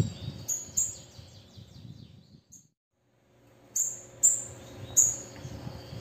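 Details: A female bananaquit gives soft, high, thin notes, falls briefly silent, then calls again with three louder, piercing high notes spaced under a second apart over low background rumble.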